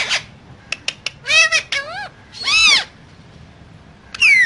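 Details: Two pet parrots said to talk like humans, one caged and in a dancing mood; sharp clicks lead into drawn-out, wavering, voice-like sounds and a long warbling squawk, ending on a falling harsh call.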